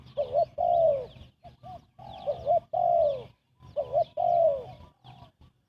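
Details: Rapid cooing of a spotted dove for luring birds into a trap: three loud phrases of a quavering short note and a long descending coo, plus a few softer notes between them and faint higher chirps.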